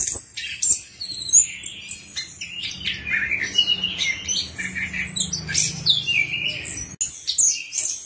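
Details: Lure song of an Orange-headed thrush, meant to get a silent bird singing: a busy run of high whistled notes, slurred chirps and buzzy fragments over a faint low hum.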